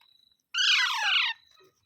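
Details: Parrot, green, producing a single drawn-out, grating, nasal squawk of nearly a second, fairly level then tailing down, with faint rustles before and after.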